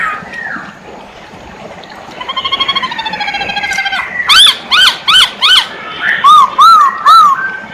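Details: Masked laughingthrush singing actively. A soft rattling chatter builds into four sharp, forked whistles. Three lower, rounded whistles follow, each rising then falling, spaced about half a second apart.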